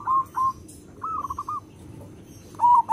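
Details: Local zebra dove with a big, vigorous voice, used as a lure for other zebra doves; short bursts of soft, quavering cooing notes come in separate groups with quiet gaps between them.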